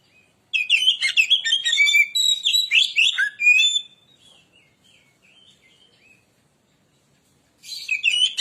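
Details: White-rumped shama (kacer) song used as a lure recording: a rich run of varied whistles and chattering notes for about three seconds, then soft scattered notes and silence, and a fresh burst at the end.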